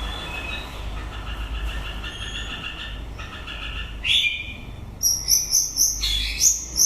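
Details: White-rumped shama singing at the end of the breeding season: steady whistled tones held in the mid range for three seconds, then a loud swooping phrase and a run of sharp, high, pulsing notes over a low background hum.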